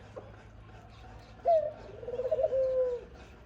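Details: Dove, a mother feeding her young, gives a single low rolling coo: a brief opening note, then a long, steady, slightly pulsing tone of about one and a half seconds. Faint background hum.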